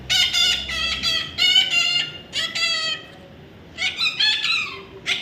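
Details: Young parrot calling in strings of harsh, buzzy squawks, several bursts close together, then a short pause before more rapid calls resume indoors.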